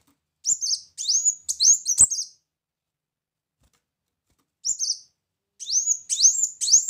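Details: Lure recording of a brown-throated sunbird singing: four high, sharply rising chirps, each ending in a thin trill, then a silent gap of about two seconds, followed by another burst of four similar chirps.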